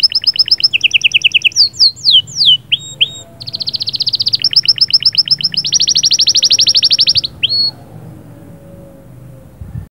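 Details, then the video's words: Caged canary song to stimulate the female: rapid trills switching pitch, downward-swept whistles, then long fast rolling tours of repeated notes lasting several seconds before stopping. "صهصهات وبتبتات طائر كناري غول و تغريد🔥🔥 يجهزلك الانثي فوراcanary1"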